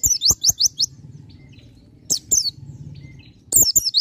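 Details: High-pitched, rapid chirping song of a Bar-winged prinia in full voice: bursts of four or five thin rising notes, pause, repeated twice more, over faint background rumble.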